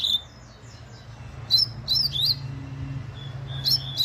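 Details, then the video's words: Chestnut-bellied seed finch delivering rapid song: short clusters of high, piercing whistled notes with quick downward slurs, separated by brief pauses, against a quiet low background hum. "COLEIRO LARANJEIRA MUITO RÁPIDO"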